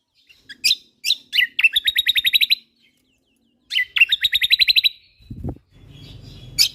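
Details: Songbird training recording of a Lombok white-eye in energetic song, two bursts of sharp chirps each rolling into a fast repeated trill, followed by a brief low thump and hum.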